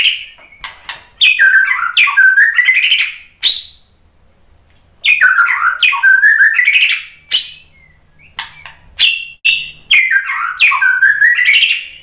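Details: White-rumped shama song used as a lure to provoke other birds into answering: rich whistled phrases with rapid rising and falling notes, two long bursts separated by a pause, then shorter whistled phrases.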